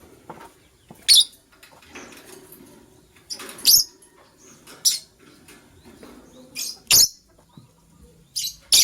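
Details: White lovebird from a matching couple chirping in the morning: short, shrill, raspy chirps repeated irregularly every one to two seconds against a soft low rumble.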